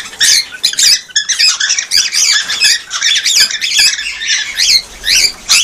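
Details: Cockatiels calling to stimulate mating and breeding: a dense, continuous barrage of harsh, high screeching chirps and squawks overlapping without pause, loud and close.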